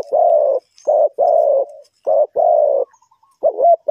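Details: Loud throaty cooing of a spotted dove used in bird trapping, Ninh Thuận: rough, rounded coo notes in a paired, stuttering rhythm, a faint tinkling between phrases, then a wavering coo.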